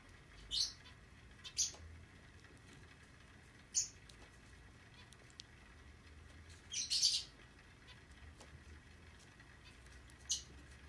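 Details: A zebra finch chick being hand-fed gives short, raspy, high-pitched begging calls in scattered bursts.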